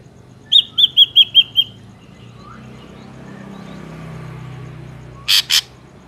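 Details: Ashy drongo song played as a trapping lure: a rapid run of six bright, even whistled notes, a quiet stretch with low rumble, then two short harsh rasping bursts.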